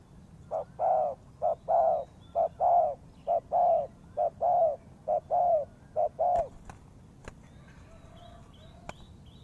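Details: Trapping-lure recording of a spotted dove: a long regular series of soft coo pairs, short note then longer falling note, about one per second, ending in sharp ticking clicks and a faint distant coo.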